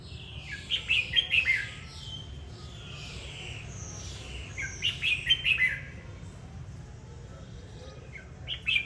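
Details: Red-whiskered bulbul song: two loud bursts of quick, bright warbling notes about four seconds apart, with softer sliding whistles between and a steady low hum underneath.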